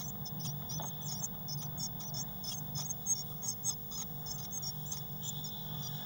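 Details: Eurasian blue tit nestlings, six of them, crowded inside a nest box in late May 2019. A continuous stream of short, very high squeaky notes plays over a steady low electrical hum.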